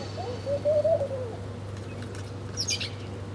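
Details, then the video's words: A single low, wavering coo is followed by a brief, high, sharp chirp near the end, from birds having breakfast; a low hum underlies both. "Different Birds Chirping Sound || Birds Are Breakfasting || Birds Eating Food"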